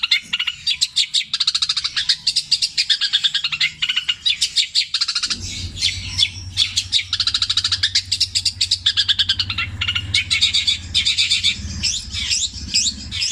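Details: Long-tailed shrike pouring out long, repeated imitations of tengkek buto, kuntilanak and sparrow in petir fashion. Continuous fast ticking and squeaky chatter, with a low background hum entering partway through.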